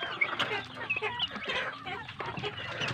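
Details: Large farm chicks of a village breed, fed well: a loud, crowded mix of high thin peeps and harsher cheeps, notes piling on top of one another for the whole stretch.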